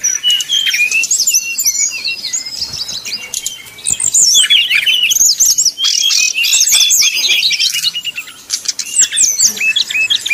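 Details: Brown-chested jungle flycatcher singing 'nyuling'-style song used as a lure to stir rival birds: quick irregular whistled phrases and sharp chirps, about three per second, with a softer pause near the start.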